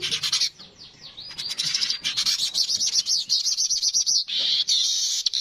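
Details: Streaked weaver giving dense, scratchy chatter and swept notes that run into a pulsing, rhythmic buzzy trill, then a steady high wheezing hiss to the end.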